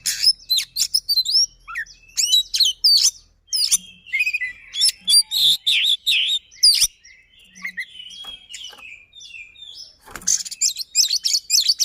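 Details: Caged white-rumped shama singing rapidly and insistently: repeated clusters of sharp whistled chips and downslurs, a quieter warbling passage in the middle, then a loud, dense finishing burst.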